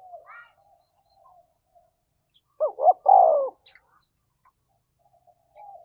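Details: Spotted dove cooing to provoke a fight, in the thổ voice style: a single loud phrase of two quick hoots and a long, falling, husky coo, surrounded by faint soft murmurs and a few thin higher chirps.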